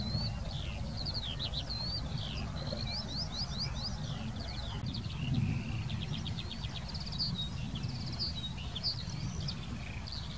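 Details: A Eurasian skylark in the Wittlicher Senke pours out an unbroken, varied warble: bursts of quick rattling trills, chirps and slurred whistles, high and restless, against persistent low-frequency wind or traffic noise.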